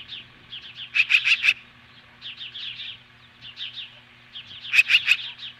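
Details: Osprey confronting magpies at the nest, Hellgate Canyon, Montana, mid-morning July 15, 2015. Two loud clusters of four piercing whistles frame quieter, rapid chirp series in between.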